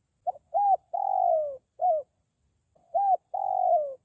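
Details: Forest spotted dove luring call: two repeated phrases of an opening pip, a hooked coo, and a long throaty coo gliding downward, with a short closing coo after the first, all with a silent background.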